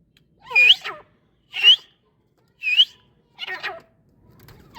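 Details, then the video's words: Francolin, possibly a female, giving four loud, harsh, rising whistled notes, about one a second, each with a sharp upward sweep; a faint low rustle follows the last note. "teetar calling ||teetar ki awaz"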